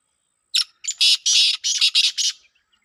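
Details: Calling competition of black francolins in Pakistan: one bird delivers a loud run of rasping, buzzy notes, starting with two short clicks and swelling into several harsh bursts in quick succession.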